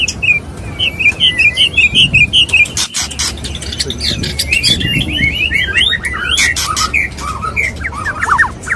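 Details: Male white-rumped shama courting a female, its mating sound used to provoke rival males: quick whistled and warbled notes in bursts, tumbling trills at intervals, sharp loud clicks scattered throughout, low background hum.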